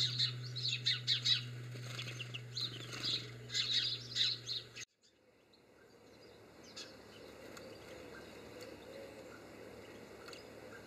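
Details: A European greenfinch gives quick twittering trills and chirps in bursts for about five seconds over a low steady hum, then the sound cuts to quiet outdoor background noise with a few faint distant chirps.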